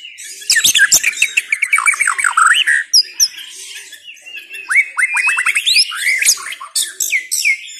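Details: White-rumped shama singing a fast, varied medley of clear rising and falling whistles, sharp chips and rapid slurred notes, bursts following one another with brief gaps.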